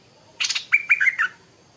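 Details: Stripe-throated bulbul, a small bird singing in the morning, gives a brief bubbly phrase: a harsh burst, then four quick liquid whistled notes falling slightly in pitch, all within about one second.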